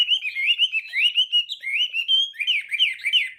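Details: Morning training song of a Chinese hwamei, sung in fighting style to provoke singing: a rapid run of clear rising-and-falling whistles, roughly three to four per second, in a steady, rolling pattern.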